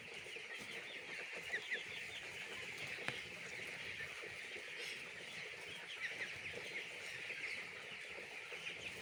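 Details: Chicks in a poultry farm fill the air with constant high-pitched cheeping, many short chirps overlapping, a few slightly louder ones popping out.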